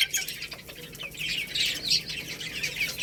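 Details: Chicks eating rice: a short burst of crowded, shrill chirps, many birds calling at once in quick high notes.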